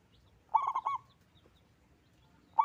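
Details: Loud-voiced local perkutut, a zebra dove, singing: one rolling phrase of quick pulsed coos, then a pause with faint low rumble before the next phrase begins.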